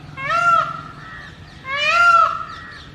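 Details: Male Indian peafowl in mating season, perched on a house roof, calling loudly to attract females: two loud, nasal, strongly harmonic wailing cries about 1.5 seconds apart, each slightly rising then falling, over a quiet background hum.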